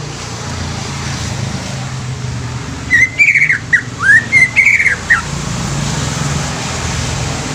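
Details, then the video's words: Greater green leafbird giving a brief burst of rising and falling whistled notes, each about a half-second long, set against a heavy low rumbling background. "SUARA ASLI CUCAK IJO INI BIKIN CUCAK IJO BAKALAN CEPAT BUNYI"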